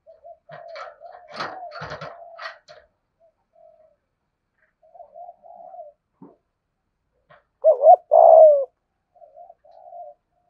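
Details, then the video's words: Decoy spotted dove singing a thổ-style lure sequence. Soft rolling coos are broken by clatter, then a loud emphatic double coo near the end and quieter trailing notes. "Chim Cu Mồi giọng thổ Bài Bản thúc + gù + gáy Gọi đủ bài"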